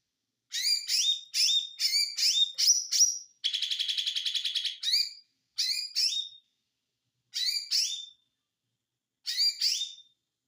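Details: White-eye giving high, sharp chirped phrases in quick bursts, a rapid buzzing trill of about a second and a half midway, then spaced pairs of bright chirps separated by short silences; no other sounds.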